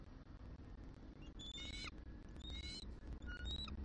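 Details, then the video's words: Wild bald eagle female giving squeaky vocals as she gets off the eggs at a Southwest Florida nest, December 2023; three brief high piping chitters after a quiet start, with heavy low rumbling noise throughout. "Squeaky Vocals From F23 As She Reluctantly Gets Off Eggs"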